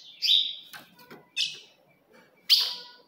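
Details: Female ultramarine grosbeak calling to provoke a male: a drawn-out whistled note, then a couple of softer notes and one sharp, bright chip.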